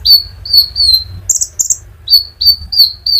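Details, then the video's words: Sunbird (konin) rolling song used as a stimulus for other birds: evenly spaced high thin whistles, each sliding slightly downward, broken by two brief buzzy chirps in the middle, with low hum beneath. "pancingan Burung Konin gacor ngerol untuk kolibri ninja ijoan sampe metalik"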